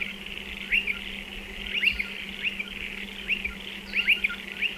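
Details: Striated pardalotes nesting in burrows dug into a dry stone wall, giving thin high chipping calls, often doubled, scattered irregularly across the clip over a steady low hum.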